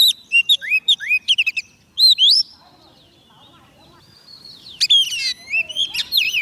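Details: White-rumped shama singing to lure wild birds: a rapid run of varied whistled notes with rising slurs and sharp downward sweeps, a quiet pause, then a richer burst of whistles and trills.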